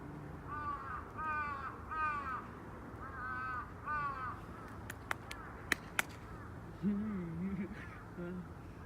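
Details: A crow calling: five hoarse, harmonic caws in a loose series, then several sharp clicks and a lower, wavering drawn-out call near the end.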